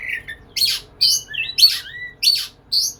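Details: Courting white-rumped shama in lively song for a female, spacing out rough high chirps with smooth slurred whistles that dip and rise, in short phrases about every half second.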